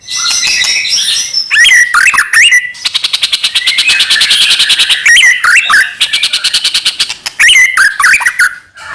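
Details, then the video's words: White-rumped shama singing, used to provoke other shamas: looping whistled phrases broken by long, fast buzzy rattles, with slurred whistles recurring between the rattles. "murai batu gacor AMPUH buat PANCINGAN murai batu agar bunyi"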